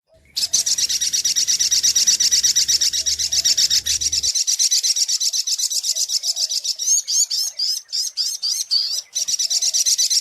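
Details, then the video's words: Sogok ontong sunbird used as a lure recording: a long, fast buzzy trill of high, sharply repeated notes, steady for about six seconds, then breaking into quick twisting chirps and short bursts. A faint low hum runs beneath the opening seconds. "SUARA PIKAT mp3 BURUNG SOGOK ONTONG"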